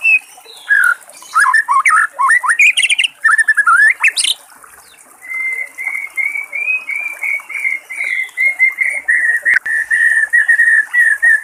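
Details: White-rumped shama in the wild over the sound of running water: a varied burst of rich whistled and slurred phrases, then a long even series of quick repeated whistled notes.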